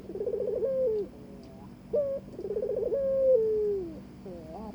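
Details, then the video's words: A Barbary dove courts the mate it has been given: a quavering, rolling coo sliding into a long falling note, a short clipped note, then a second fuller coo with an extended sinking tail. "burung puter ngajak kawin"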